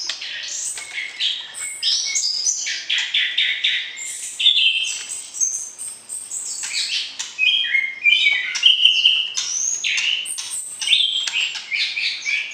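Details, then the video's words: White-rumped shama singing to rouse a mate before moving to a breeding cage: a long, varied outpouring of whistles, chatters and trills with rhythmic pulses and brief louder flourishes. "PERJODOHAN Murai Batu, PANCING Birahi Lawan Jenis"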